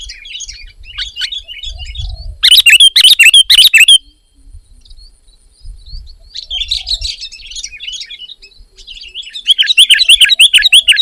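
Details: Sooty-headed bulbul singing energetically: bursts of bubbly, chirping notes in quick succession, a very loud stuttering run of sharp notes in the middle, then further lively chattering phrases with brief quiet pauses between and low background rumble.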